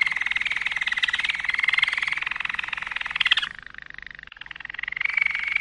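A Malinois canary sings unbroken, bubbling rolls at a bright mid-high pitch. Midway it drops into a softer, lower roll, then lifts back to the brighter tour.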